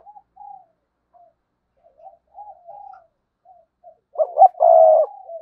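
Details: Spotted dove kept as a decoy, giving quiet wavering murmurs for several seconds before breaking into a loud clipped note and a long, full coo in the sa gù style.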